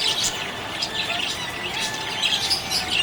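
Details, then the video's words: Happy budgies chirping, a lively mix of high twitters, short chirps and soft warbles from several birds calling together. "Happy budgie chirping sound"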